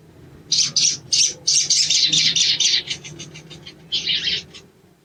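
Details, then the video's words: Sogon, hill blue flycatcher, young and still raw, delivering a fast run of high, bright chirped notes that speed up and thin out, then a short buzzy burst near the end. "TERAPI BAHAN SOGON IJOAN CEPAT BUNYI"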